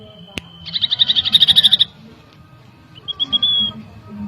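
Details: Common iora song played as a lure to agitate birds: a sharp click, a quick trill of high notes for about a second, a pause, then a softer rising run of whistled notes.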